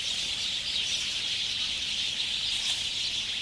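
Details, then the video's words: At dusk in late summer 2021, a flock of sparrows settles to roost at Ngahinapouri in New Zealand's Waikato. Their massed high chirps form a constant shimmering din, and one sharper call cuts through near the end. "Sparrows roosting at dusk"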